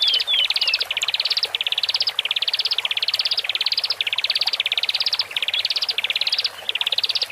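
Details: Horsfield's bush larks, male and female, kept in cages, singing to ease adaptation of newly separated birds; steady series of rising buzzy trill phrases, each under a second, repeated almost without pause.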